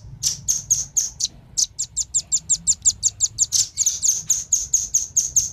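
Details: A long run of sharp, high, evenly paced chips from male and female velvet-fronted nuthatches, used to lure wild birds, quickening slightly midway over a faint low hum.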